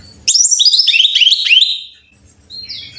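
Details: Brown-chested jungle flycatcher song used as a model for caged birds: a loud, rapid burst of about a dozen high downslurred whistled notes descending in pitch, then a brief faint whistle.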